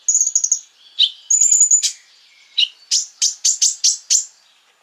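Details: Konin sunbird song used as a lure to make other sunbirds agitated: a high buzzy trill, a second thin trill, then six loud, sharp, very high chips spaced evenly and quickly.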